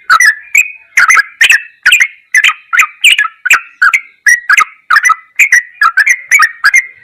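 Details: Steady stream of rich, throaty, whistled notes from a yellow-vented bulbul in ropelan goklikan style, each burst starting with a crisp click, about two bursts per second.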